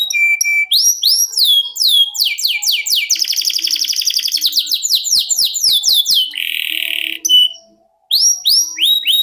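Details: Canary in long ngerol song prized for contest birds: steady whistles, fast slurred notes, a rich rolling trill and a harsh buzzy burst, broken by a brief silence before more whistles.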